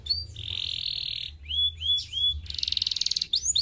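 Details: Canary song played to stimulate singing: a long buzzy roll held steady, then rising whistled slurs, then a rapid pulsed trill, over a faint low hum.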